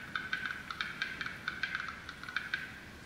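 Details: Irregular quick tapping clicks, like typing on a keyboard, over a faint low hum, with no animal voice.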